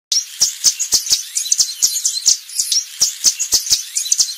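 Yellow Warbler singing in a fast stream of high, bright chirps and sweet notes, with sharp clicks between them.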